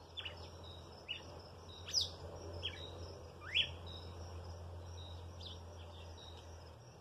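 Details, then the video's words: Red-cowled cardinal song made of short, sharply sliding whistled notes, some rising and some falling, given irregularly over several seconds against a constant low mechanical hum. "galo de campina"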